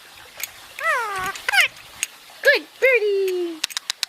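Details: Pet Indian ringneck parakeet talking while basking indoors: several raspy, harmonic calls that arch and then fall, ending in a long descending drawn-out note, with a person speaking nearby and short clicks.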